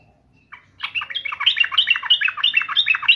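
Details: Yellow-vented bulbul facing off with a rival: a dense, bubbling warble of quick liquid notes that builds after a short opening note and runs on steadily.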